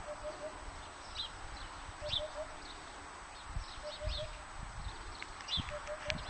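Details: A Eurasian hoopoe sings on 24 Feb 2013 during an asparagus-gathering outing: soft, low hooting triplets, 'oop-oop-oop', repeated about every two seconds, with higher twittering from other birds and some low thumps nearby.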